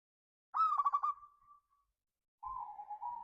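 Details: Local zebra dove giving a lure song in the ngayer kerot nutut style, meant to stir other doves to sing: a fast stuttering burst of pulsed coos that trails into a soft held note, then a steadier lower coo after a pause.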